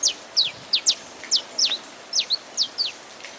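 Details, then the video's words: Saffron finch song over rain, a rapid series of about eleven bright, high chips, each sliding sharply downward, delivered at an uneven quick pace against soft rain hiss. "CANTO; CANÁRIO-DA-TERRA (COM SOM DE CHUVA)"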